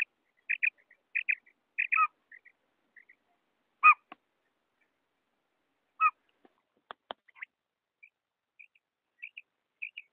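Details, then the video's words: Quail hen calling, used to lure quail for hunting in Pakistan: doubled high notes in quick pairs, then scattered clicks and harsh bursts, with fainter paired notes returning near the end. "batair female voice"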